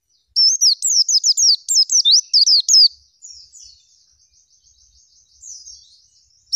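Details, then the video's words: Oriental white-eye in nembak zipper song: about two and a half seconds of loud, fast, high sliding whistles, then only faint soft twittering in the background. "Pleci Gacor Full Isian Nembak Ngerol Zipper Istimewa"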